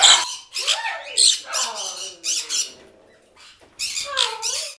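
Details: A pet white-capped pionus attacking his toy gives harsh, raspy squawks mixed with short whistled, swooping notes in uneven bursts, while a hyacinth macaw talks in the background.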